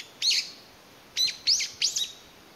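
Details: Separated from its family, one Brown-eared Bulbul calls out for companions, May 2021: a loud screechy note, a pause, then three quick harsh shrill notes in a row.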